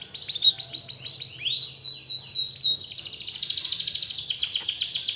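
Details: Canary song serving as a lure for a canary that will not sing; fast whistled swoops, a few lower slurred notes, then a steady ringing pulsed trill.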